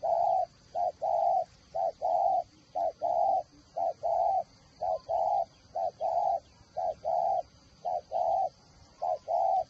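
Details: Decoy spotted dove giving a steady series of soft, low coos, paired notes repeated about once a second, with a faint continuous high hum behind.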